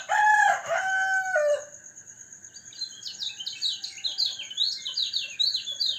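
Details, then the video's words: A rooster crows loudly at the start, then a caged white-eye (kecial kuning), out for dew exposure to stay healthy and sing strongly, launches into fast, high-pitched twittering chirps that run to the end over steady background hums. "pengembunan #kecialkuning agar burung tetap sehat gacor dan volume suara semakin besar"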